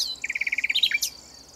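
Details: Common nightingale in southern France, singing from cover: a fast run of about eleven identical liquid pips, then a rising flourish and a sharp upward flick, over a continuous high insect whine.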